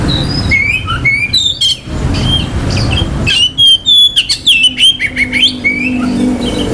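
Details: An Oriental magpie-robin sings to stir the aggression and mating urge of others: sharp whistled phrases and squawky notes early on, then a dense, loud sequence of varied whistles and chatters, fading into a low hum.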